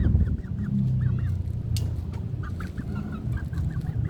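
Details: Young village chickens aged two months and three weeks, giving a steady series of short, arched, mid-pitched chirps from several birds, repeated in quick runs, over a constant low rumble.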